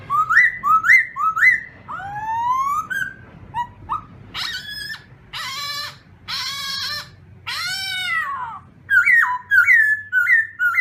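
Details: Black-throated laughingthrush singing in the morning to train its voice: loud clear whistled phrases, upslurred notes repeated in runs, then harsher buzzy harmonic notes and a drawn-out arched whistle before a fresh series of rising whistles.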